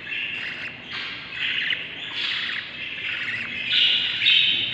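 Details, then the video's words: Budgerigar chicks in a breeding nest, a brood of seven, day 38: steady raspy, scratchy chattering in uneven swells, several chicks overlapping, growing louder near the end. "7 Baby Budgies from eggs to hatching - budgie breeding/ what happens inside the nest no music day 38"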